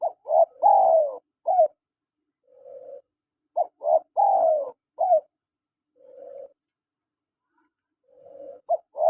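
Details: Male and female spotted doves exchange calls. Loud phrases of short coos and a longer falling coo alternate with quieter, lower hums, repeating about every three and a half seconds in a quiet setting.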